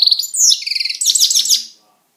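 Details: A pet European goldfinch singing: a quick, dense run of bright, twittering high notes and buzzy trills that fades out after under two seconds.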